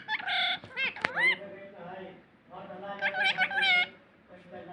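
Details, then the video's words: Talking parrot producing nasal, speech-like syllables with sharp rising squeaks, two drawn-out phrases with a brief lull between, against a quiet indoor background. "speak parrot"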